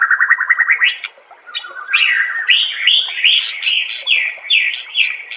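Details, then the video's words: White-rumped shama master song meant to make other shamas sing; starts with a fast series of repeated notes, then loud varied whistles with sharp clicks mixed in. "MASTERAN MURAI BATU PALING DI CARI TAHUN INI || SUARA JERNIH ,BURUNG PASTI NYAUT DAN GACOR SEKETIKA"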